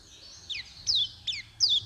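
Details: White-eye song used as a lure for night and morning, with four quick bright phrases of thin, high whistled notes, each sliding steeply downward, separated by short pauses over a quiet background.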